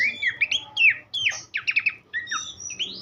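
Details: Horsfield's babbler song for training other songbirds: bright falling whistles, a burst of rapid clipped notes in the middle, and a closing series of rising slurs, with brief pauses between phrases.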